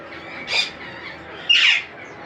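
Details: Baby monk (Quaker) parakeets during feeding: two harsh, rasping squawks about a second apart rise over steady background hiss.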